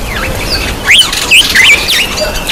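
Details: Black-eyed bulbul at its bath, uttering a string of sharp, twisting whistled chirps, four or five rising and falling notes, set against continuous rushing background noise.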